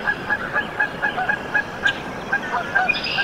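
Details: Canada goose goslings just hatched in a nest at Decorah, Iowa, USA, on 14 April 2024; short high peeps repeat about four times a second, with a faint trill from another bird near the end.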